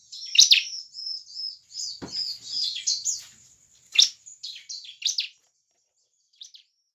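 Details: Bar-winged prinia singing, meant to draw other prinias into song: a run of thin, high, twittering notes with sharp clicks, ending in a brief pause and a faint final chip.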